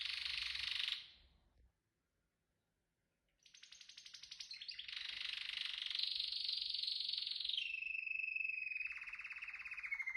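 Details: A canary sings a short buzzy burst, then goes quiet for about two seconds. It resumes with a long, fast trill that shifts from high and buzzy to a lower, clearer rolling phrase.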